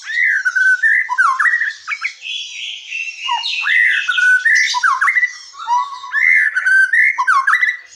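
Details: Forest white-rumped shama song serving as a lure for silent or young shamas; continuous flow of looping whistled slurs mixed with harsh squawky overtones and brief pauses.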